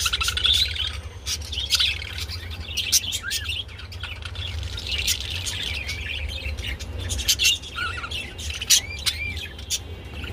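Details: Budgies calling while mating: intermittent scratchy warbles, sharp clicks and several short curved whistles, with quieter spells between bursts, over a soft hum.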